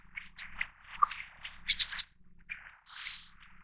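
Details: Little Forktail of the Taiwan endemic subspecies, from mountain streams; soft mixed chips and twitters end in one loud, thin, high whistle.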